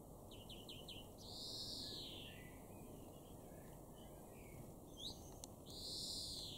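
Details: European greenfinch in a garden in Weener, East Frisia, northwest Germany, in June 2022: a few quick twittering notes, then a long, buzzy, drawn-out wheeze, repeated near the end, over a steady low rumble.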